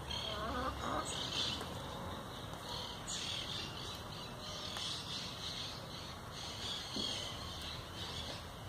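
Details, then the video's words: Singing European goldfinch kept by the recorder's brother: rapid bursts of high, buzzy, twittering phrases, several times a few seconds apart, with quieter gaps between them and a low background hum. "El jilguero de mi hermano tirándose unos cantos"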